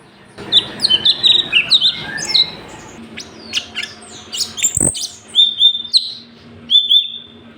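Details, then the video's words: Sooty-headed bulbul in a lively song recording meant to train other birds: a tumbling burst of chirpy notes, a sharp knock, then a few clear, drawn-out whistles spaced apart. "CUCAK CUNGKOK SUPER GACOR - UNTUK MASTERAN BURUNG"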